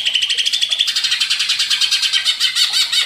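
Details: Agitated greater green leafbird singing after being provoked: dense, fast chattering of high, slightly harsh notes, about three per second, in a continuous busy stream.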